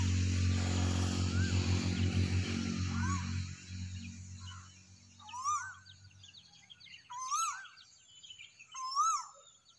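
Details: Cuckoo calling at sunrise: after a low droning hum fades, clear rising whistled notes come about once a second, each swooping upward, with faint chirps of other birds behind.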